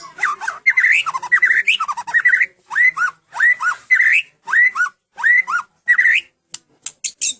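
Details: Long-tailed Medan white-rumped shama singing in full cililin style: rapid, varied whistled phrases with rising and falling slurs, repeated in short bursts about every half second, with sharp high chips between phrases.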